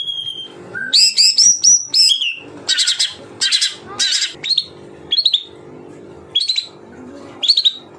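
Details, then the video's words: Murai batu, the white-rumped shama, in 'tembakan rapat' song: bursts of bright high whistles and harsh rattling chips in quick clusters, separated by short pauses, with a faint low hum beneath. "Tembakan Rapat Burung Murai Batu"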